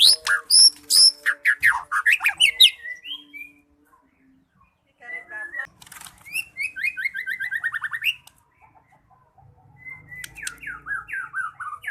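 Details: Lively gacor singing of a white-rumped shama (murai batu): loud bursts of rapid high varied notes, a quieter gap, then a fast descending trill-like series and more scattered phrases, with faint low rumbling in the background.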